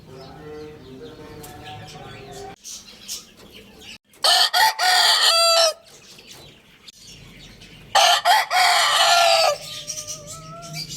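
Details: Two loud rooster crows, each with choppy broken opening notes and a sustained harmonic ending, separated by about four seconds, with softer clucking before the first crow and quiet bird chirps between them.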